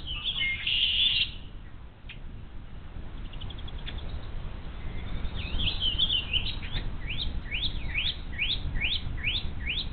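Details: Bald eagle chicks alone all day in the nest without food, filmed by a live nest camera at Little Miami Conservancy on 12 May 2023. High squeals open, then a run of quick rising-falling chirps about twice per second, over steady wind rumble.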